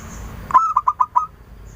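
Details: Clear-voiced local female zebra dove lure bird giving one cooing phrase: an abrupt opening note followed by four short, bubbling coos spaced evenly over under a second.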